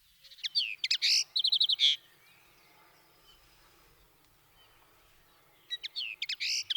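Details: Common Linnet song: two bursts of rapid, varied twittering notes, some sweeping and some clipped, the first lasting almost two seconds, then a quiet pause before a second fast, jerky burst near the end.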